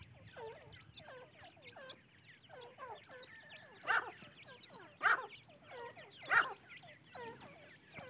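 Francolin chicks give a busy chorus of thin, overlapping peeps and cheeps. Three louder, harsher bursts break in near the end.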